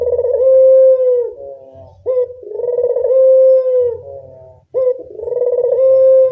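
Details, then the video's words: Local spotted dove used as a lure call: deep, tonal coos with a soft throaty buzz, each drawn out about a second and slightly falling, repeated roughly every two seconds, with faint low rumbles between. "Pancingan burung puter lokal"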